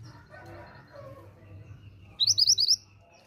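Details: Female pied bushchat calling to get males to respond: low background hum, then a short burst of about six quick, bright, rising chirps near the end.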